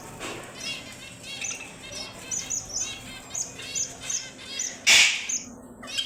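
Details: High-pitched twitter from a red avadavat (strawberry finch): rows of tiny rapid chirps and brief trilled phrases repeated every fraction of a second, broken near the end by a single loud sharp noise.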